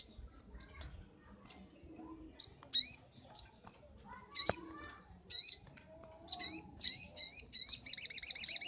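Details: Master recording of a Brown-throated sunbird for training birds: a series of sharp high chips and rising whistled notes, quickening into a rapid, pulsing trill at the end.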